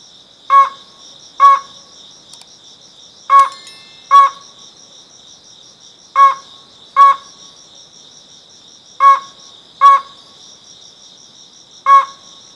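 Slaty-legged crake giving nasal, harmonic double notes, 'kek-kek', repeated in pairs every two to three seconds, over a steady high insect trill.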